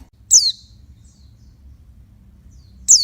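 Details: Two high, piercing downslurred notes from a female oriental white-eye calling to excite males, about two and a half seconds apart, with faint soft chips between and a low background hum.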